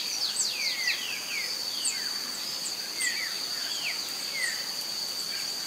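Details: Rufous-tailed jacamar (Galbula ruficauda) in Serro, Minas Gerais, Brazil, giving a scatter of thin, high, sharply falling whistled notes, some overlapping, over a steady high insect drone.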